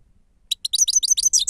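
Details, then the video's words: Grey-crowned goldfinch song, labelled "sava" and used as a lure: after a short silence, sharp high chirps build into a quick run of bright, tinkling twittered notes that get steadily louder. "седоголовие щегол сава"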